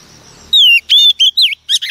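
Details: Female Oriental magpie-robin, wild-caught, singing to excite males: a long clear whistle falling in pitch, then shorter sweet whistled notes and a scratchy chirp in quick succession.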